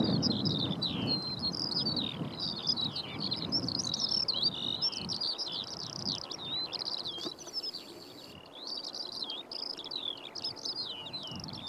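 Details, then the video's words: Eurasian skylark singing in flight over Brandon Heath: a long unbroken stream of rapid, high warbling and chirruping notes with quick slurs and trills, over low rumbling wind noise. "Skylark in flight & singing beautifully"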